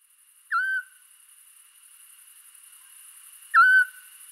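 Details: Eurasian scops owl at a ringing station in the Scrivia stream valley, Alessandria, Italy, on 5 April 2019 at dusk: two short, piercing whistled notes, 'chiù', about three seconds apart, over steady high insect-like hiss.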